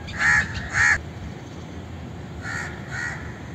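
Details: Indian crow utters two loud, grating caws in close succession, then after a pause two softer, more distant-sounding caws.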